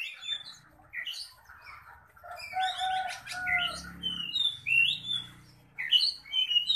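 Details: Oriental magpie-robin, described as ready for a singing contest and singing fiercely, delivering varied whistled and slurred phrases, rising sweeps and scratchy notes with brief pauses, over a low background hum and some rustling.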